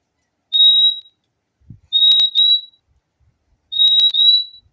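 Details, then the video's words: Three bursts of thin, steady high whistling from a fim-fim, a single note followed by two paired 'fim-fim' phrases about two seconds apart, with sharp clicks. "O LINDO SOM DO PÁSSARO FIMFIM"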